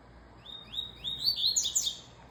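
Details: Double-collared seedeater singing a quick phrase of high, upslurred whistles that climb progressively higher and end in a dense, tinkling flourish of notes.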